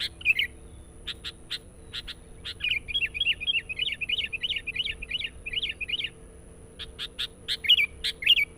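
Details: Sooty-headed bulbul song for attracting wild birds, with a long rapid series of quavering, rising-falling notes lasting several seconds, framed by sharp clicking chirps and scattered slurred notes.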